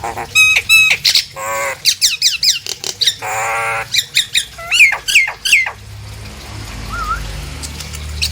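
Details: Long lure bout from a Nias hill myna, meant to get other hill mynas singing: clear whistles, buzzy rattles and a dense run of harsh, descending squawks, ending with a lone wavering whistle over low noise.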